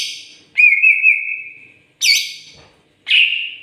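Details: Greater green leafbird in lively song: a loud, long, slightly wavering whistle, then two shorter bright notes, each sweeping down and fading over about a second, with silent gaps between.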